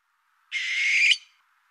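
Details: A barn owl (Tyto alba) in rural Ohio at night gives a single harsh, hissing screech lasting just over half a second, broad and rasping, with nothing else heard.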